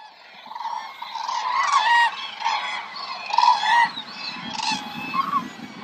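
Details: A flock of common cranes calling together at a roost site in Hungary: loud, rolling, trumpeting notes overlapping in a steady chorus, with a faint low rumble underneath.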